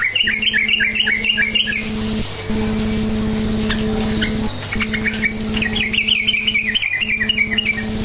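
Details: Yellow-vented bulbul in lively lure song to stir silent birds into singing: bubbly, rapidly warbling chattering phrases of about two seconds each, separated by a pause, over a continuous low mechanical drone.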